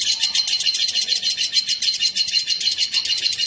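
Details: A male and female lovebird, newly put together, pour out fast, shrill twittering in an unbroken stream of quick chirps, about three per second.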